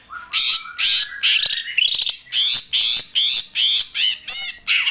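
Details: Greater green leafbird giving a rising whistled note that slides upward, followed by a string of harsh, buzzy squawks repeated roughly twice a second.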